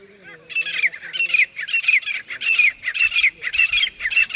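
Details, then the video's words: Grey francolin giving a fast run of loud, harsh, grating notes, about seven in four seconds, each a scratchy burst with a sharp squealing edge, repeated almost without pause in an outdoor setting. "पच्चिम डबल तीतर की आवाज़ | West Dubal Frencolin Voice"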